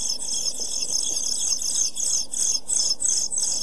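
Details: Week-old European pied flycatcher chicks in a camera nest box, 23 June 2012, in an intense, continuous chorus of shrill, hissy high cheeps, pulsing in waves about three times a second with brief dips.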